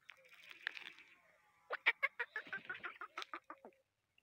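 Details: Black francolin, known locally as kala tetar, a bird from Sindh: a hoarse, faint opening, then a rapid burst of about a dozen harsh, grating clicked notes over two seconds before falling quiet.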